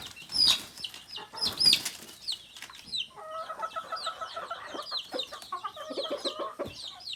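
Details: Native chickens, rooster and hen among them: two bursts of wing flapping open, then high falling peeps and a soft, evenly stacked clucking trill from a nearby bird.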